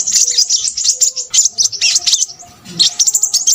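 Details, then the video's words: Short burst of crimson sunbird song: squeaky, high twittering notes tumbling quickly, easing briefly near the end, then returning. "burung sepahraja ribut"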